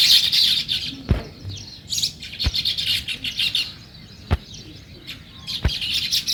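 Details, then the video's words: Sparrows chirping in bursts on a morning, with noisy twittering flurries separated by softer spells and punctuated by several sharp knocks. "Natural Sparrow Chirping Sounds | Morning Sparrow Scene"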